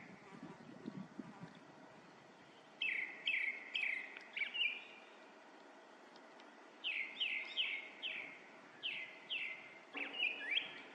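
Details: Grey-backed thrush singing outdoors: clear whistled phrases of quick descending slurred notes, each repeated a few times in bright series with short pauses between phrase groups, over low rural background noise.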